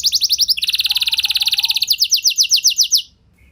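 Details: Canary lure song for prompting other canaries: a fast trill that speeds into a dense rolling trill, slowing into spaced whistled notes before stopping.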